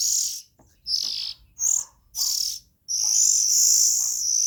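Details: Harsh, hissy calls from young Oriental magpie-robins: four short rasping bursts, then a long continuous hiss lasting over a second and a half.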